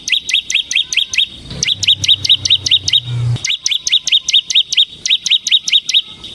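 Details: Captive bar-winged prinia singing in the nonstop ngebren style, used as a lure and training song. Sharp high chirps repeat about twice a second in long runs, with a low humming noise underneath for part of the time.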